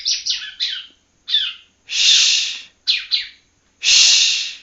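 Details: Young yellow-bellied prinia from Palembang practicing its song. Short clusters of two or three sharp chirps alternate with longer harsh, buzzy bursts, about five phrases in under five seconds.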